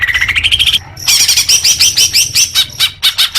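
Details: Greater green leafbird singing, a recording meant to spur caged birds into fuller song: a rising whistled trill, a short break, then varied chattering phrases with quick upward-flicked notes and repeated high pips.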